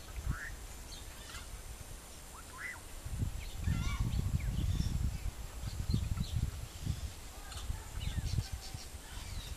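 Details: Rufescent tiger heron in Guamito, Alto Barinas parish, Barinas, Venezuela, giving deep, hollow booming grunts in an irregular series, with small birds chirping high in the background.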